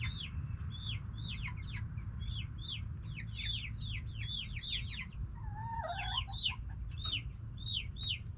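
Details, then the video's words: Noisy backyard chickens, hens and roosters together: rapid overlapping high chirps fall in pitch, repeated many times a second, while a lower wavering call rises and dips near the end over constant low background hum. "Back yard chickens making noise🐓 Relaxing sounds of hens and roosters"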